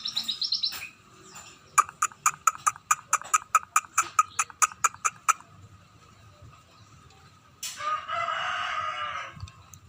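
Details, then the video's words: Scaly-breasted munia starting to sing frequently: a short high buzzy trill, a long series of evenly spaced dry clicks, a silence, then a drawn-out wheezy whining note. "burung emprit [peking] mulai gacor"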